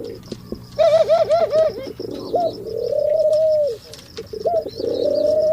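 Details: Male pigeon cooing during mating: a run of rapid, rhythmic, bubbling coos in quick pulses, then long drawn-out moaning coos, with a faint high ringing tone in the background.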